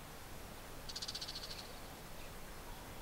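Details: Two male Bull-headed shrikes perched on a rooftop TV antenna and a treetop in Japan, early July 2014, call back and forth, possibly a territorial dispute or a warning call: a rapid, shrill chatter of about a dozen sharp notes, falling slightly, over soft rustling.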